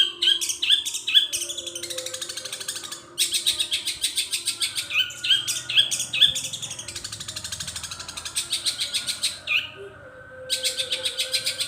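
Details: Long-tailed shrike, a caged bird, singing a long mimicry song with imitations of other birds; fast broadband chattering trills repeated about twice a second, interspersed with sharp whistled notes, a brief pause near three seconds.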